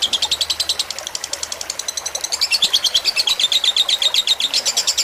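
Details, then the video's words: Tutor recording of a lovebird fighter singing beside gently trickling water, meant to help birds copy long songs; fast high chattering pulses, uneven in rhythm, rising slightly in pitch toward the end. "Suara masteran lovebird fighter dengan gemericik air agar cepat masuk"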